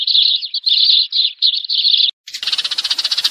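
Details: Eurasian tree sparrow calling the flock, a lure recording for trapping: dense run of bright, chirping notes in unbroken strings for two seconds, a short gap, then a fast, buzzy pulsed chatter.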